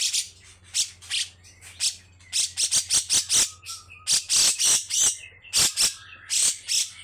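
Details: Grey-cheeked bulbul delivering a long, coarse song made of rapid, harsh, high scratchy bursts in close succession, with a thin whistle partway through.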